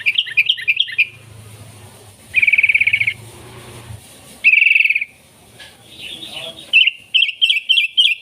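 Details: Sooty-headed bulbul singing loudly, a recording meant to lure wild bulbuls and train captive birds; fast buzzy trills and sharp, bouncing chirps alternate, with a faint low hum behind during the early part.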